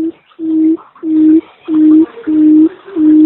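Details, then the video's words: Lure quail call: a quail gives low, steady hooting notes, each about half a second long, repeated in an even series roughly every second and a half. "tiếng chim cút mồi chuẩn"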